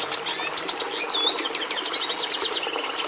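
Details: Red siskin, valued by breeders for introducing red pigment into domestic canaries, sings a fast, varied high twitter of chirps, slurred notes and buzzy runs, continuous for about three seconds.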